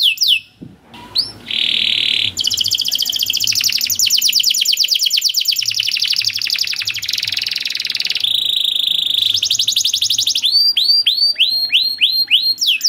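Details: Canary giving a long cuit cuit style song for training young canaries: buzzy rolls, a dense rapid trill, a sustained buzzy stretch, then ringing swooping notes, with a low hum underneath.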